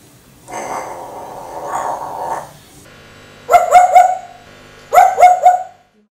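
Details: A talking pet parrot that seems to think it is a dog mimics barking: a rough, growly murmur, then two quick bursts of three harsh, yappy barks about 1.5 seconds apart.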